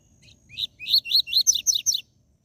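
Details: Double-collared seedeater (coleiro or papa-capim), song in the TUI TUI ZEL ZEL style, used to stimulate captive birds. Seven high chirped notes: a rising first note, then a fast run of bright, descending slurred chirps, with faint low rumble below.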